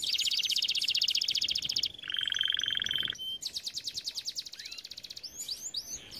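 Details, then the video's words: Canary training song made of buzzy rapid trills at different pitches, including a lower flat rattling section, ending in short swooping whistles. "Most powerful song for training Canary"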